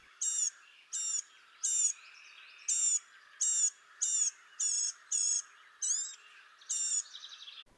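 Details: Blue-gray Gnatcatcher in spring, central/eastern United States, giving about eleven thin, nasal, wheezy staccato notes, short and high, roughly two-thirds of a second apart, over faint background hiss.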